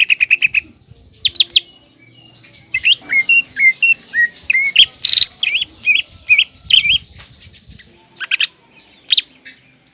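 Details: Loud, lively green leafbird song used as a lure to make a young spotted leafbird angry and combative: a long series of varied whistled and slurred notes, some rapid chatter, and faint background rustling.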